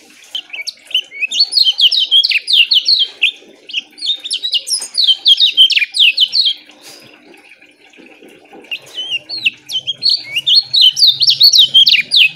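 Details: Lemon-bellied white-eye delivering close-set, short, loud song phrases for training caged birds. Two long bursts of rapid high descending chirps are split by a brief pause, then a third burst follows, with a faint low hum near the end.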